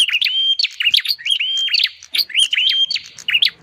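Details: Bar-winged prinia call used as a bird lure: rapid sequence of sustained whistles alternating with sharp clicking flicks, phrases running almost continuously with brief gaps.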